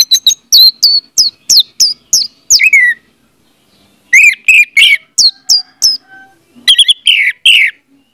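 An orange-headed thrush sings loud, rich phrases of quick whistled and buzzy notes. The phrases come in bursts of about three seconds with short pauses between them.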